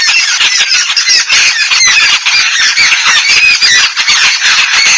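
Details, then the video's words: Continuous loud babble of harsh, nasal squawks and squeaks from yellow-billed babblers while bathing in Sri Lanka, many birds calling over one another without a break. "bathing billed bubbler with sound"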